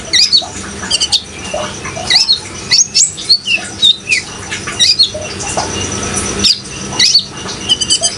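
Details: Young sunbirds (kolibri ninja) in speckled and greenish immature plumage, calling in a repeated bright sequence of short, high, squeaky chirps and sharp upslurred notes, with a steady background of running water.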